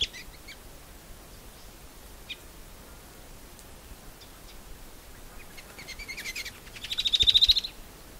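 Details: Shining Sunbird of arid Africa and Arabia in desert habitat: a long quiet stretch with a few faint chips, then a short burst of rapid high trilling near the end.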